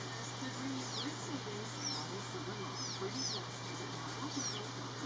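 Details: House sparrow pair at work on a nest while the male preens and shows off. Sharp chirps that slide steeply downward are spaced irregularly through the clip, with faint murmuring and a constant low hum behind them.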